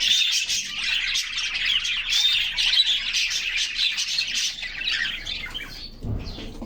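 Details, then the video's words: Canaries kept in a cage sing in unison in summer sunshine, recorded from a fixed in-cage camera; rapid high chirps and trills pour out continuously, then a soft thump near the end. "Canaries Singing and Playing in Their Cage"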